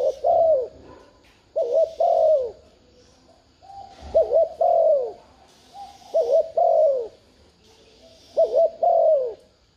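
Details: Cooing spotted dove used to excite a caged decoy dove into calling. Five paired phrases repeat about every two seconds, each a brief quavering note and a longer falling coo, over faint hiss.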